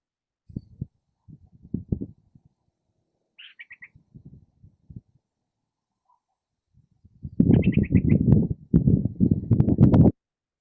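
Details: A male Western Burrowing Owl at the Rainbow Owl Preserve, Las Vegas, Nevada, gives its alarm or warning call: a short, rapid chatter of high, scratchy notes in quick bursts, over low rumbling and rustling, while bobbing and retreating to its burrow.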